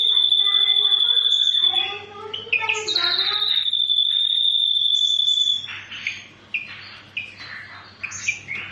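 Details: Ashy drongo in full tembakan song: a long, rapid high trill opens, broken by varied harmonic whistles and chattering phrases, then another sustained trill and a run of scattered, scratchy chirps, over a low steady hum.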